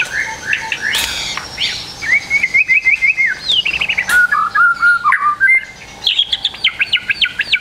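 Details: White-rumped shama singing a full medley, used to train young birds to sing quickly: fast repeated whistled notes, descending slurs and quick trills in a continuous, lively stream.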